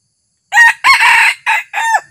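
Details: Red junglefowl decoy rooster, newly trained and taken out for the first time to lure wild junglefowl, gives a loud, harmonic crow in four separate parts. The second part is the longest and the last ends in a falling, drawn-out tail.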